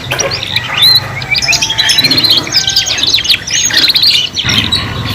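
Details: Singing canaries in a three-in-one tutoring recording for young learners. Fast warbled and trilled phrases run densely for most of the clip, with a brief pause near the end and a faint low hum.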